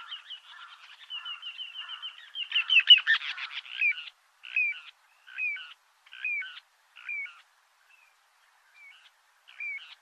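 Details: Little ringed plover, during mating, egg-laying and incubation, giving a fast, high rippling trill, then a buzzy burst and a series of clear, down-slurred 'pee-oo' notes about once a second.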